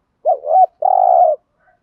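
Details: Spotted dove decoy cooing "gù thúc" to stimulate fresh-caught birds: a loud swooping two-part hoot followed after a short gap by one long, steady, purring coo, all clean and close.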